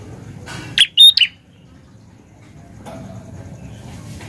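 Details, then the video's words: An ashy prinia singing vigorously in a garden gives a quick burst of three or four sharp, high chirps lasting about half a second, then falls silent against faint background hiss. "Prenjak Klawu Gacor"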